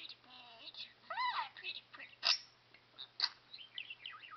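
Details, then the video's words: An 8-year-old pet male budgerigar talks, chattering fast, high, raspy speech-like phrases such as "pretty bird" and "I love you", mixing warbled syllables with sharp clicks and chirps. "TALKING BIRD"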